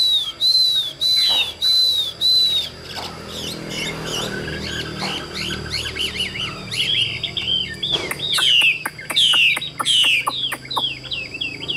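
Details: Chinese hwamei from a Vietnamese bird seller, caged and largely tame, repeats clear downslurred whistles several times, then breaks into varied chattering phrases mixed with sharp clicks before more loud slurred whistles.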